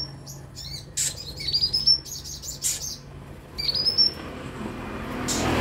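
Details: Van Hasselt's sunbird (kolibri ninja) used as training sound for newly bought caged birds; bursts of high chips and thin rising whistled phrases, ending with a rush of noise.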